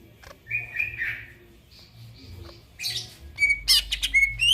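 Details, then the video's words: Greater green leafbird at night, opening with soft slurred whistles and a quiet gap, then sharper high chirps, clicks and thin whistled notes building louder toward the end. "burung cucak ijo bunyi tengah MALAM GACOR"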